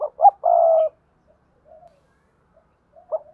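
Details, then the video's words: Spotted dove 'thúc gù' and calling coos, used by bird keepers: two short hoarse notes and a longer rough coo, a long pause, then a final short coo. "cu gáy thúc gù và gáy gọi cực đỉnh bảo đảm với anh em chơi chim mở là gáy"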